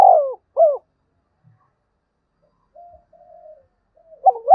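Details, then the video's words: Spotted dove giving gáy thúc and gáy gọi coos, a voice said to suit wild birds: the tail of one low phrase, a long drawn coo and a short coo, a pause with faint murmuring notes, then a new phrase beginning. "Chim cu gáy thúc và gáy gọi cực đỉnh giọng rất hạp bổi"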